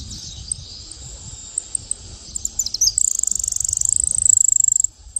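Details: Saffron finch singing in the countryside: a few sharp, high chips run into a fast, loud, buzzy high trill of about two seconds, over a steady shrill insect drone.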